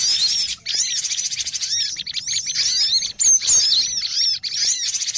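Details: Cinereous tit trapping lure, noisy and crowded: rapid high chirps with looping downslurred notes, a buzzy undertone and several short breaks between bursts.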